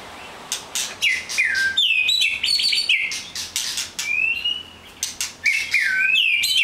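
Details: White-rumped shama in full song, rich whistled phrases sliding downward and upward, interspersed with sharp clicks and buzzy high notes, delivered in quick succession.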